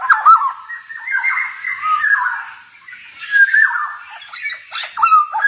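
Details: Male black-naped oriole singing vigorously in a forest style, used as training audio for songbirds: harsh, nasal, slurred phrases with brief clear whistled notes, fading and returning in bursts across five seconds.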